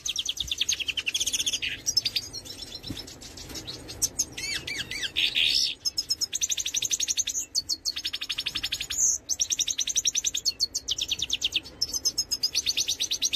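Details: A goldfinch of the major race delivers a long, lively song of fast chattering trills and liquid twittering bursts, broken by brief pauses and a few buzzy notes.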